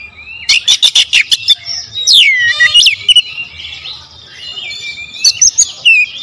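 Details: Lure song of an oriental magpie-robin. A fast volley of about six sharp clicky notes is followed by falling whistled slurs and a buzzy rattle. After a quieter trill, a final burst of clicks and a downslurred whistle close the phrase.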